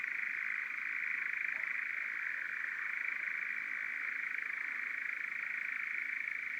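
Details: At dusk in summer on Hazeley Heath heathland, where three males were churring, a European nightjar churrs without a break, a dry, mechanical, rapidly pulsing trill held at one pitch throughout, with only faint background hiss.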